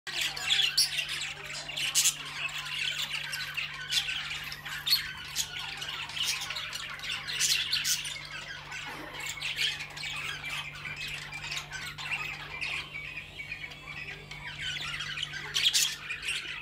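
A cockatiel gives harsh, screechy squawks in quick, uneven bursts over a steady low hum.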